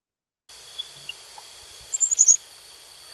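A Black-capped Chickadee gives a quick cluster of thin, very high chipping notes. Two steady, shrill insect drones hum underneath throughout.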